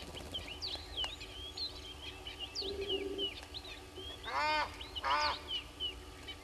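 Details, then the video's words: Egyptian goose calling at the Gowrie dam waterhole on Djuma Game Reserve, Sabi Sand, South Africa, caught by a fixed live camera at 05:57 on 09/05/21: two loud, rasping honks about a second apart, with small birds chattering throughout. "Egyptian Goose"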